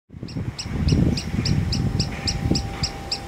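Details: Green sandpiper, still largely in summer plumage, calling persistently without moving from a ridge in a lotus field at Iwakuni, Hiroshima, Japan, on 18 September 2017. Short high notes repeat steadily, about three per second, over low rumbling background noise.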